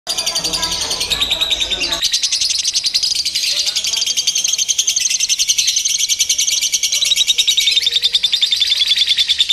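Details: Lovebird song from a contest simulation used to train a bird's nerve for singing competitions: a dense, high, rapid chatter of buzzy pulses, about three to four per second, running unbroken, with a softer mixed murmur in the first two seconds.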